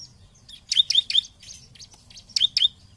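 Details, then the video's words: Bar-winged prinia lure recording to spur opponent birds into song: quick sharp high chirps delivered in short clusters of three, then a pause and a pair of chirps. "Pancingan Ciblek Paling Dicari ! Lawan Langsung Gacor"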